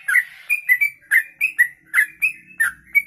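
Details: Sooty-headed bulbul (trucuk), kongslet type, in rapid 'ropelan' song suitable for mastering other birds: clustered whistled phrases, paired and trilled, ending on a drawn-out level whistle, with slight background hum.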